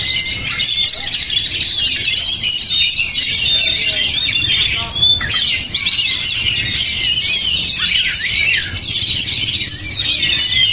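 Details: Kacer, the Oriental magpie-robin, touted as fiery and mentally strong, pours out a continuous high, busy song of twittering, squeaky notes and brief whistles, with a short dip around the middle and soft low background sounds.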